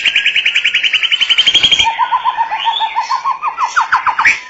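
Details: White-rumped shama singing: a rapid even trill of bright notes, then a lower run of quick rising whistled notes that speed up and climb toward the end.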